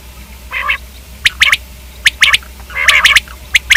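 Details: Short quail sequence: a nasal note, then crisp triplet notes, another nasal buzzy note, and more sharp paired notes.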